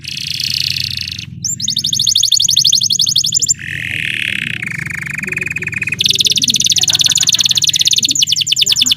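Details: Belgian canary singing a varied song: rapid buzzy trills high up, a lower rolling tour, then fast repeated chattering phrases, with a faint low hum underneath.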